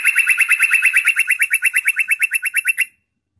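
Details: Loud yellow-vented bulbul trill used to draw in wild bulbuls: sharp notes repeat very evenly at about seven a second for roughly three seconds, then stop abruptly into silence.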